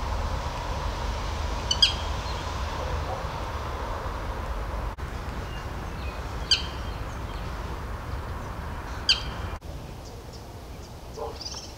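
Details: Male black sparrowhawk during the breeding season, calling in the morning after mating and bringing a Karoo thrush to the female: three sharp, high, clipped notes spaced several seconds apart over a steady rushing outdoor background.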